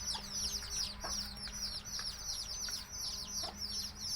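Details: Chicks of native village chickens chirp nonstop, bright high peeps sliding downward in quick succession, a few soft low clucks in between and a faint steady hum underneath.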